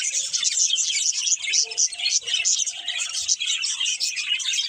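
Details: A pair of breeding budgerigars chatters nonstop, a thick mix of rapid high chirps, scratchy trills and brief squeaky notes, with a few low soft thumps in the background.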